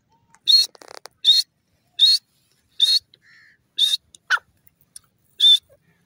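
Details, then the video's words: Repeated strident calls of a grey francolin, known locally as teetar: sharp, harsh bursts spaced at slightly uneven intervals, with a few brief clicks and chirps in the gaps. "teetar ki awaz,teetar awaz,teetar sound ,teetar voice"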